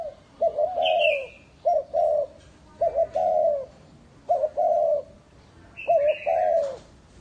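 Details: Vietnamese spotted dove used as a lure, cooing in hollow phrases each opening with a short note, repeated several times, while a higher, thin chirp from another bird sounds twice.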